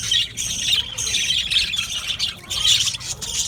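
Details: Many Australian budgies in a colony aviary give nonstop high twittering and squeaky chirps that swell and fade in short waves.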